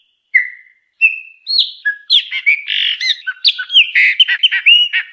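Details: Chopi blackbird singing: a few separate clear whistled notes, some sliding upward, open the phrase, then it breaks into a rapid run of varied chirps, warbles and whistles without pause.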